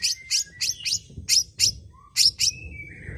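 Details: Long-tailed shrike singing to prompt other birds: sharp high chirps in quick pairs and groups, then thin drawn-out whistles.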